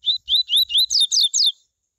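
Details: Coleiro singing its tui tui song, used to stimulate other coleiros to sing: a quick run of six clear whistled notes, rising then falling, the last ones sliding downward, all within under two seconds.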